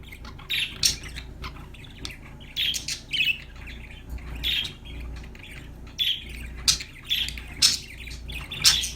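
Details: Happy parakeets chattering: repeated short buzzy chirps and sharp clicks in uneven groups, a lively scratchy warble over a low hum.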